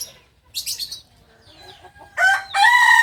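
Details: From Solok, West Sumatra, a kukuak balenggek singing chicken bursts into a loud harmonic crow in the final second, after a quiet stretch with a high chirping flurry and faint clucks.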